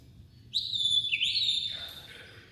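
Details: White-rumped shama giving a single sustained high whistle that dips briefly midway and then continues before fading away.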